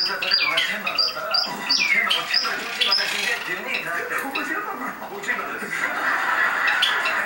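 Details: Two male Java sparrows, two years and one month old, kept together and courting each other. Clear, high, ringing notes repeat quickly over the first three seconds with a sliding tone. A blur of noise and voices follows.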